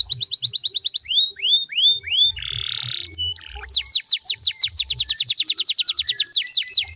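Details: Canary song played to spur other canaries into song: quick repeated notes, four slow curving whistles, a buzzy rolled tour, then a long steady run of rapid falling sweeps.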